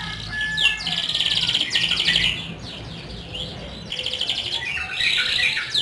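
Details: Canary singing as a lure to get non-singing canaries to start: high, buzzy, rolling trills in bursts separated by short pauses, with a faint low hum in the background.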